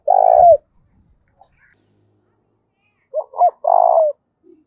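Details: Spotted dove cooing in the 'giọng thổ' voice style, meant to provoke fighting. A long coo ends one phrase, then after a quiet gap a full phrase follows: two short notes and a sustained, slightly falling coo.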